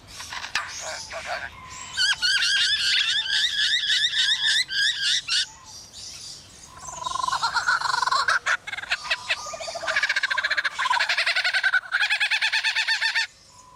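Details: Male Superb Lyrebird kept at Adelaide Zoo mimicking construction work such as chainsaws, drills and saws: long rapid rattling bursts, dense and mechanical, with pauses, then a sustained whirring, machine-like passage that stops abruptly.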